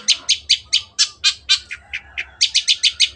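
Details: Long-tailed shrike in lively full song, recorded as a tutor track for other songbirds: quick series of harsh, buzzy chattering notes, about four per second, then a few lower clipped notes and a renewed fast burst.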